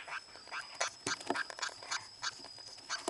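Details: In-heat lineolated parakeet during breeding season, uttering rapid nasal quacking calls about three times a second in an uneven series, with a faint steady high tone behind.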